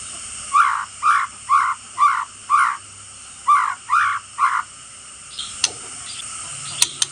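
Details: White-rumped shama giving fierce rattling 'kretekan' calls, used to provoke and rouse rival shamas: eight harsh, buzzy chattering bursts repeated about every half second, then faint clicks and scattered high notes.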